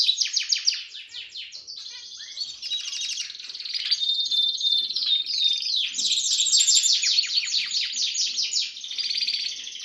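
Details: A canary, described as a Harz canary singing alongside red and variegated birds, sings a long, continuous run of rapid trills and rolling chirps, high-pitched and rippling, with bright whistled notes woven through; Belgian canary.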